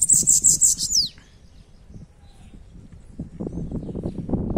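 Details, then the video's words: Bananaquit song from a bird called sibite: a rapid series of about five very high, thin buzzy notes, then a steeply falling slurred note, followed by low rustling and handling noise. "Sibite cantando"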